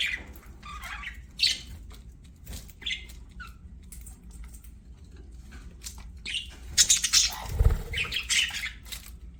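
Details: Budgies chirp while playing: scattered short, high squeaky notes and chattering fragments spaced irregularly, then a louder chattering burst near the end, with a dull knock among them.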